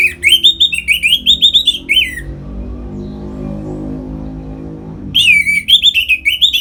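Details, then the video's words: Orange-headed thrush singing hard in ngeplong style to push other birds toward breeding readiness: two-second runs of fast, rolling, repeated warbled notes, a quieter gap of low hum, then the run resumes. "Suara Ngeplong ANIS MERAH Gacor Memancing Burung Agar Birahi dan Lanjut ke Tahap Teler"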